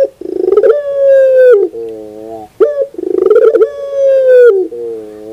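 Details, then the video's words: Morning song of a puter pelung dove: two long coos, each a quick pulsing rattle that smooths into a held, slightly falling tone, ending in a lower, softer hum-like note. "the beauty of the sound of puter pelung in the morning"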